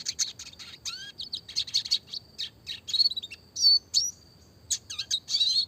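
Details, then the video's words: Classic red siskin used as a training song for small songbirds, singing clear, fast rolling chirps and twitters with short downslurred whistles and buzzy trills, phrases broken by brief pauses. "burung red siskin klasik gacor suara jernih masteran burung kecil variasi roll tembak"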